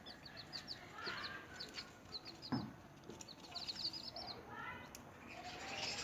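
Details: Newly hatched chicks feeding: bursts of thin, high, descending peeps repeated in quick clusters of three to six, plus a sharp tap and softer lower chirps.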